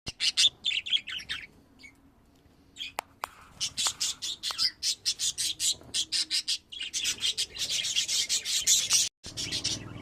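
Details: Several pet budgerigars chattering: dense bursts of high, scratchy chirps and squawks, rapid and overlapping, with short pauses and a few sharp clicks between phrases.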